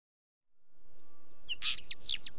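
Wheatear giving a brief burst of scratchy, crackling song: a quick run of harsh, chattering notes lasting under a second, over low wind rumble.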